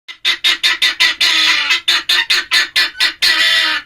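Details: Male helmeted guineafowl calling: a quick run of harsh, rasping notes about three per second, some merging into longer grating bursts, loud and close.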